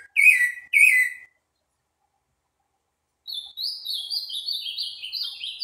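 Green-winged saltator giving two loud, rich whistled notes, then a pause, then a fast run of higher, thinner twittering notes.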